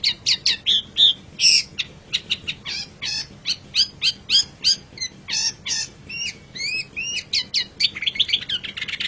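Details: Long-tailed shrike master song for pet-bird tutoring: rapid chattering notes and short whistled slurs in a continuous varied stream, ending in a fast twittering flurry.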